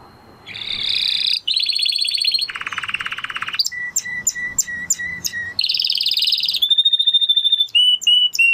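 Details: Spanish Timbrado canary pouring out a varied song: buzzy high rolls, a lower throbbing trill, a series of separate chipped notes, another bright roll, then pure whistled tones with clipped endings.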